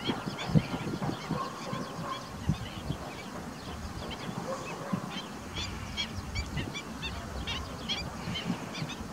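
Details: Ruddy shelduck (Tadorna ferruginea) calling: a series of short nasal honking notes repeated irregularly over steady low background rumble.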